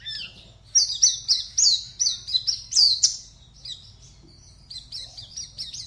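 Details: Oriental white-eye, a contest bird from Pontianak, Indonesia, sings a burst of loud, high downslurred chirps at about four per second, pauses briefly, then resumes with softer quick notes.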